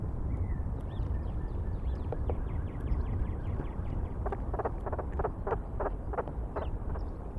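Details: Bald eagle at the nest in Decorah, 16 April 2019, evening: a quick series of about ten short, sharp repeated notes in the middle of the clip, after faint high chirps, over a steady low rumble of wind.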